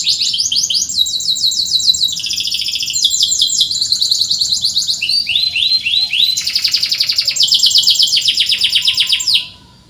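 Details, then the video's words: Canary in full song, offered as training material for birds that rarely sing: a chain of fast trilled tours, some buzzy and some clear chirps, changing phrase every second, ending abruptly. "PANCINGAN BURUNG KENARI SUARA CUIT CUIT COCOK UNTUK MASTERAN BUAT YANG SUSAH BUNYI"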